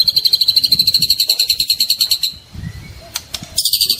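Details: Juvenile (trotol) white-rumped shama song intended to make silent birds respond; a long run of fast, high, evenly repeated chips stops briefly, followed by a faint whistle and then a return of the rapid chipping.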